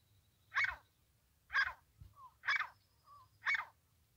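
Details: A francolin, recorded in a trapping context, gives four harsh, grating notes evenly spaced about once a second, with faint thin whistles from other birds between them.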